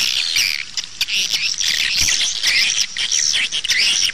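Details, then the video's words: Outside lure sound of swiftlets for drawing birds to nest houses: layered high chirps and looping squeaky notes from numerous birds, a continuous twittering chorus. "เสียงเรียกนกแอ่น 2 (เสียงนอกดึงนก)"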